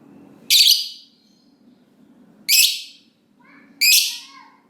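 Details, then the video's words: Lovebird ngekek, a long chattering song used to lure other lovebirds into singing: three loud harsh shrill bursts, each about half a second, spaced over a second apart, with faint low hum between. "Lovebird Ngekek Panjang Ampuh Lovebird Apapun Jadi Gacor dan Rajin Bunyi Panjang"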